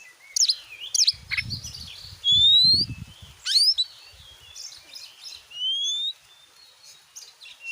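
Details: Oriental magpie-robin song used as a lure for a kept bird: scattered clear rising whistles and sharp downsweeps with pauses between, while low thumping knocks sound underneath.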